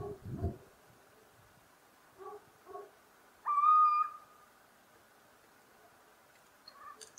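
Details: [2, 'Single clear, level-to-rising whistled hoot from a little owl (Athene noctua), held about a second, among faint low murmuring notes and a quiet background.']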